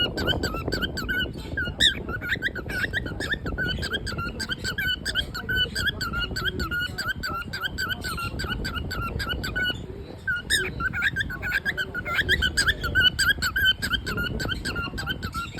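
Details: A happy cockatiel chirps steadily in quick, squeaky, rising and falling notes.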